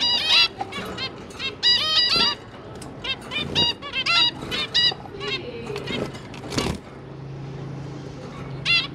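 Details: Captive zebra finches, two parents tending three newly hatched juvenile chicks during feeding; clusters of short nasal trumpet-like calls, busy in the first half, thinning out later over a steady low hum.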